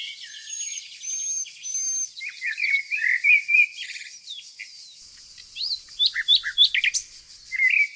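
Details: Nightingale in flowering countryside of Tonekabon, Mazandaran province, northern Iran; faint drawn whistles, then choppy warbled phrases and sharp rising chirps in quick succession, set against an unbroken high hiss from other birds or insects.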